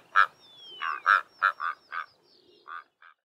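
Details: Karoo korhaan pair duetting at dawn on an open southern Karoo plain, giving a short series of gruff, croaking notes that trail off, with a faint falling whistle from another bird.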